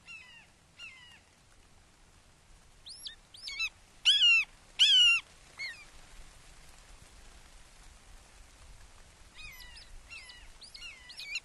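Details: Wake Forest red-shouldered hawk nest, 29 May 2023 at 08:38, a father arriving with a frog for a fledgling. Quick descending squeals build to two loud drawn-out cries around four seconds, then a run of softer repeated calls.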